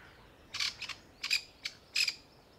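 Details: Grey francolin mother, camouflaged among brown dried summer leaves in summer heat, panicking over her newborn chicks gathered around her; four harsh, raspy bursts come in quick succession over about two seconds against a quiet background.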